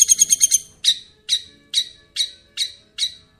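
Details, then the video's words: Masteran song of a long-tailed shrike: a short burst of very high rapid trill, followed by harsh, scratchy single notes repeated roughly every 0.4 seconds. "masteran burung cendet"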